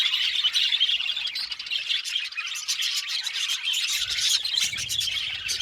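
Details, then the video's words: An Australian budgie colony in an aviary chatters nonstop, high buzzy chirps and warbled squawks layered thickly, with a faint low hum entering near the end. "Budgie amazing chirping sound | Budgies calling sound"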